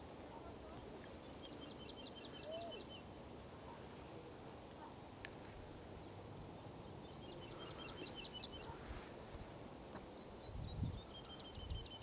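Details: A Woodlark (Lullula arborea) gives its spring song at full voice: sweet, liquid phrases of rapidly repeated notes, each run lasting about two seconds and falling in pitch, over a steady low rumble of wind.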